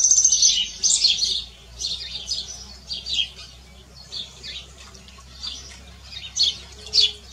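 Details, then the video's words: Canary song recorded in nature: loud high chirps and twitters at the start, then softer, spaced bursts of quick notes, with a few sharp chirps near the end over a steady low hum. "CANÁRIO CANTADO NA NATUREZA"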